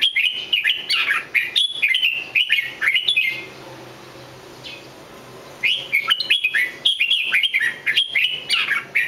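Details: Red-whiskered bulbul song in two bursts of fluted, swooping whistled notes, separated by a quiet pause of about two seconds before the bird resumes its lively chattering phrases.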